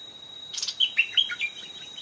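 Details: Stripe-throated bulbul, an old wild bird responding to a caged decoy and coming up to the trap twice. A rustling burst, then three or four loud, clear warbled notes, each dropping in pitch, over a persistent faint whine.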